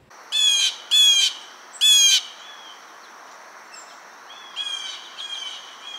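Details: Blue Jay, often heard around backyards, giving three loud, harsh, nasal 'jay' screams about a second apart, followed by a few fainter, more distant calls.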